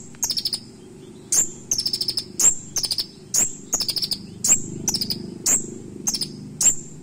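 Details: Sharp fill-in song (isian) of a purple-throated sunbird, known as kolibri ninja, used as tutor material: short bursts of rapid high chirps interleaved with single thin piercing whistles, repeating steadily about every half second, soft low rumble underneath.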